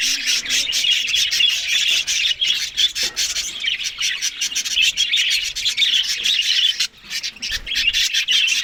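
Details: Australian budgies eating green food in the morning give a steady stream of scratchy, chattering warbles and chirps from several birds, dipping briefly near the seventh second.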